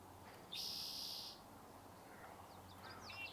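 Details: A spotted towhee at Sargeant Bay Provincial Park, British Columbia, Canada, on a warm, sunny May 3 morning gives one harsh, buzzy, mewing note lasting almost a second, followed by faint high chirps from other birds.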